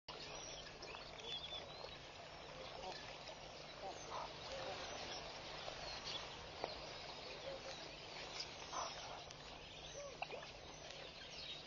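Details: A large flock of red-billed queleas at Pete's Pond, Mashatu Game Reserve, Botswana, on a June 2014 morning keeps up a dense, unbroken wash of high twittering and chattering, with a faint low hum underneath.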